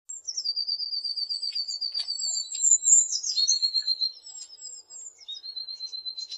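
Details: Blue tit singing continuously: very high, thin, piercing notes sliding down into fast, lower, even trills, with several phrases running back to back over a few seconds in a quiet setting.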